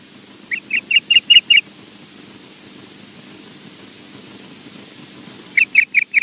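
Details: Loch Garten osprey in Scotland uttering six crisp, high whistled chirps in a tight row, then silence for about four seconds before a further burst of four similar piping notes; low background hiss.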